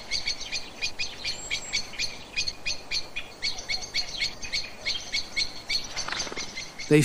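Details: A common blackbird gives its alarm call, often used when going to roost: a rapid, insistent run of sharp chinking notes, about three each second, with a brief low thump near the end.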